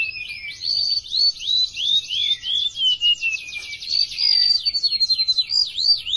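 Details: Very vocal, tame golden-bellied gerygone singing a long chain of high, wheezy downslurred whistles that drift lower, then a buzzy trill-like stretch and more bright slurred notes.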